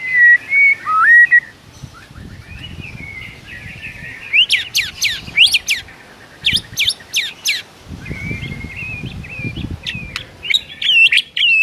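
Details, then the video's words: Morning song of a white-rumped shama, lively rich fill-in style: a twisting whistle opens, then dense bursts of sharp chattering notes and slurred whistles, with soft low rumbling underneath. "MURAI BATU GACOR ISIAN MEWAH"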